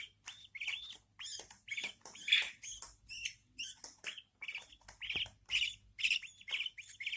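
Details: Budgerigar newborn chicks in captivity as their mother feeds them; rhythmic, pulsing bursts of scratchy, wheezy chirps, about two per second, rising and falling in loudness.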